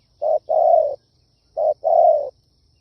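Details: Kích bổi lure call of a spotted dove: two phrases, each a brief hollow coo followed by a longer, fuller coo that sags slightly at the end. The phrases come about a second apart, with quiet between them.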